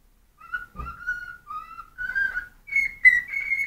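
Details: A hungry cockatiel whistles a tune of drawn-out tonal notes, at first lower and level, then climbing to higher, slightly wavering whistles near the end.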